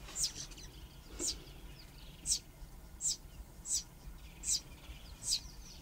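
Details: A Dideric cuckoo chick raised by Southern Grey-headed Sparrows begs from its sparrow foster parent and is fed, giving thin, very high, hissy begging notes about once a second over faint background noise.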